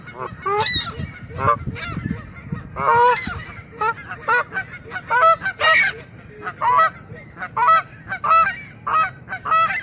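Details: Canada geese grazing grass, seemingly annoyed at being photographed, honk loudly and repeatedly, with harsh nasal two-part honks from several birds overlapping roughly every half second to second, over low background rumble.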